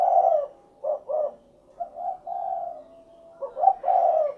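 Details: Spotted dove, called derkuku, repeating low hollow coos: a long opening note, two quick clipped notes, then stretched rolling coos and a further burst, all fairly close and clear.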